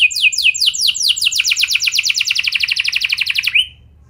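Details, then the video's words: Canary singing as a lure for other canaries: descending sweeps quickening into a long, fast, even rolling trill that ends with a short rising note, followed by silence. "Pancingan Ampuh Bikin Kenari Lain Bakal Ikut Gacor Do0r Dengan Pancingan Ini! Langsung Nyaut Ngeroll"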